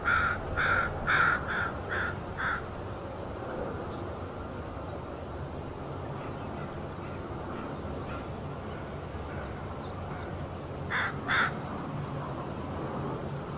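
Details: Crows chattering on a marsh in Richmond, British Columbia, Canada, on 16 May 2018, while a heron stands nearby: a quick run of five harsh caws, a long pause, then two more, over steady low outdoor rumble.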